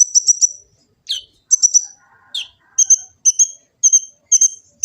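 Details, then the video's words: Olive-backed sunbird full-filler song recorded by phone in Gresik, East Java: high rapid trills and sharp downslurred notes, then a run of paired ringing notes repeated about twice per second. "Kicau burung kolibri ninja full isian cocok untuk pancingan & masteran burung konin jadi gacor"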